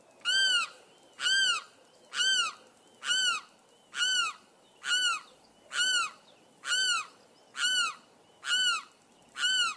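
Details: Series of eleven loud, ringing wails from a limpkin, each arched and rich in overtones, repeated at an even rhythm about once a second against a soft hiss.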